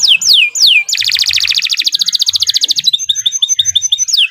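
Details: Canary song used as a training tutor: descending whistled sweeps, then a fast rattling trill of rapid repeated notes near two per tenth-second, ending in bright chipping notes and another falling sweep.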